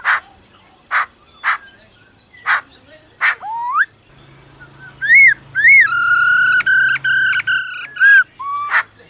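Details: Female laughingthrush giving her "ro ro" call to rouse a male. Sharp broadband clicks about every half second come first, then arched upswept notes and sustained, harmonic-rich held tones in short blocks.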